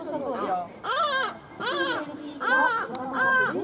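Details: Striated caracara at a bird show in Kakegawa Kachoen, Japan, calling while running around: harsh, rasping, arched calls in bursts about every 0.8 seconds, each sliding up then down, with faint people and other sounds behind.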